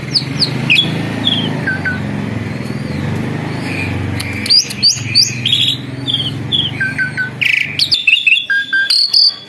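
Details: Asian pied starling, formerly skittish and now tame, gives scattered sharp whistles and downslurred chirps over a steady low engine rumble that stops near the eighth second, after which the calls come quicker and louder.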